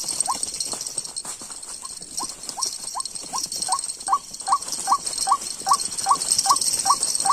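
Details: White-breasted Waterhen (Amaurornis phoenicurus) call of the kind used for trapping: short, upslurred 'kook' notes, steady at about two or three per second, over a constant high insect-like hiss.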